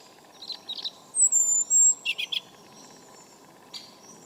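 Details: European robin on a cold November 2014 morning in a garden: a few high scratchy notes, then a long thin very high whistle and short sharp notes, followed by quiet clicking background.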